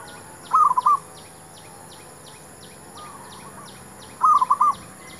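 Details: Zebra dove song for luring wild doves into a trap: a loud, trilled cooing phrase, a quieter echoing phrase, then another loud phrase, all over constant pulsing insect sounds.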